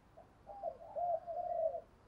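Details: Spotted dove cooing, a voice used to provoke other doves, in the gù thúc or urging style. One drawn-out, low, soft hooting coo wavers over about a second and a half, followed by a sudden click at the end.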